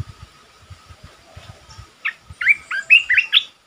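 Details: Decoy red-whiskered bulbul in a cage giving a burst of rich, bubbly whistled notes near the end, after a stretch of quiet low knocking sounds.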